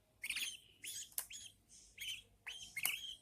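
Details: Budgerigar mother feeding her newborn chicks; a few drawn-out, raspy, rising calls with brief clicks between them, over low hum.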